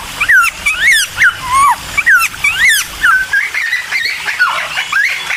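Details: Cucak timor singing emotionally to trigger other birds: bright rising-falling whistled notes in rapid bursts, then a looser run of warbled, wavering phrases toward the end.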